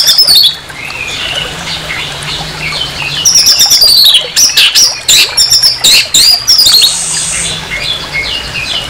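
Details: Orange-headed thrush harsh song, played to provoke another orange-headed thrush: a high descending note, then a long run of loud, choppy, strongly accented phrases with brief breaks.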